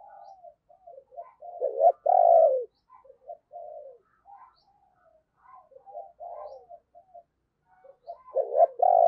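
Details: Decoy spotted dove cooing to lure wild doves: soft, low, hollow coos in short clusters, with a louder drawn-out coo near the start and another at the end, in otherwise quiet surroundings.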